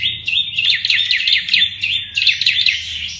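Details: Olive-backed tailorbird (Orthotomus sepium) singing a rapid, machine-gun-like high chattering series of sharp notes, steady and insistent, with a faint low hum underneath.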